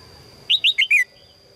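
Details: Red-whiskered bulbul, a female calling to attract a strong male: one quick phrase of four bright chirped notes, the last longer and sliding downward, in a quiet setting.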